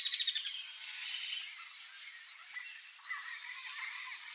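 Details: Ringed kingfisher (Megaceryle torquata) rattle call: a loud, harsh, rapid rattle for half a second, followed by fainter, high, evenly spaced chirps from other birds.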